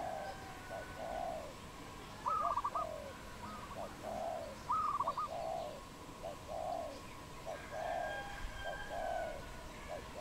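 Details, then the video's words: Wild dove in Cambodia, 22 April 2020, giving a steady series of soft, low, rounded coos repeated about every half second, broken by a few brighter stuttering pulsed notes, with a constant hum behind. "Dove, นกเขา, Bồ câu | Wild Birds in Cambodia"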